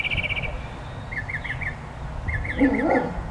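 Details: Bird sounds: a fast high trill at the start, then pairs and runs of rounded whistled notes, with a lower wavering call near the end.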